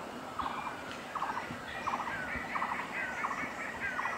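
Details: Great hornbill at Panbang, Royal Manas National Park, Bhutan, on 27 April 2018: six short, mid-pitched cackling bursts, roughly one every 0.7 seconds, over a steady background hiss.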